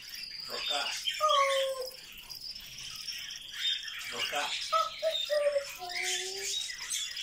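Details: Chattering pet grey parrot, said to talk all day, produces raspy speech-like syllables broken by several short clear whistles that step downward in pitch.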